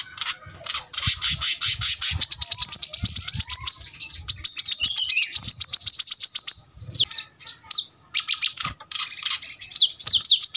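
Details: Brown-throated sunbird (kolibri kelapa) singing in the dense, sharp rapid-fire style called tembakan rapat: long runs of very high, fast-repeated ticking notes, about four a second, with short breaks, a few downslurred whistles, and a faint low rumble.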